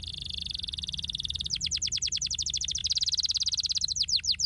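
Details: Canary singing, used to stimulate lazy canaries to sing: a fast rolling trill held steady, then a long run of rapid descending chirps, swelling into a dense trill and ending in slower downward-slurred whistles.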